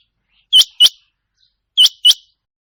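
Rain Quail calling in sharp, high, metallic double notes, two quick pairs about a second apart, over a quiet background.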